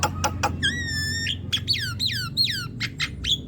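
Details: Song of a Javan myna used to coax a quiet young bird into singing: short clicks, a long steady whistle, then a series of sharply falling whistled notes and a final harsh note.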